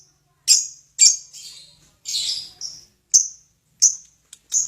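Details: Lovebird calling to provoke nearby birds to sing: sharp, separate high chirps and a few longer scratchy squeaks with short silences between them.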